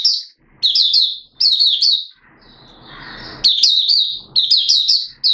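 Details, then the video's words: Caged Malaysian Oriental white-eye in minor moult, recorded 2 April 2023, giving buka sing song: high, bright phrases of three or four quick chirping notes, separated by pauses, with a soft hissing rustle midway. "Malaysian Mata Puteh Buka Sing"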